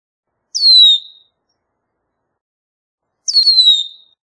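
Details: Two matching descending whistles from a Red-winged Blackbird, about three seconds apart, each a thin high note that falls and fades within a second, with nothing else audible.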